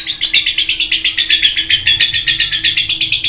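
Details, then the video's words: Rapid buzzy chirping from a lovebird, about four notes per second in an unbroken chattering run, with a constant low hum in the room. "Gacor parah love bird"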